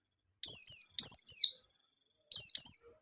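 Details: Gacor white-eye song in the loud ngalas nembak manner, played as a lure for other birds: three bright, high descending twitters, the first two close together, then a pause before a final paired burst.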